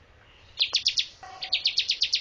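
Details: Bar-winged prinia singing for bird training, two short bursts of sharp descending chirps, about four then seven notes, separated by a brief pause.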